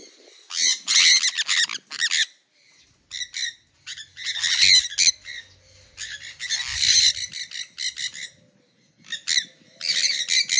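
Sun conures give harsh, high-pitched screeches in repeated bursts of about a second.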